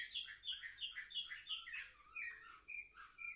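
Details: Young canaries, seven months old, Orfey line, recorded 10 November 2023: bright chirped notes repeated about once a second, sliding into a descending run and ending in short whistled phrases.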